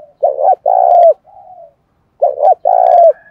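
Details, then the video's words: Spotted dove cooing to provoke a fight during the rainy, windy seventh month, 'giọng thổ' voice style: two phrases of low throaty coos, a clipped double note followed by a drawn-out wavering coo, separated by a short quiet gap. "Tiếng chim cu gáy thúc đấu tháng bảy mưa gió rất căng"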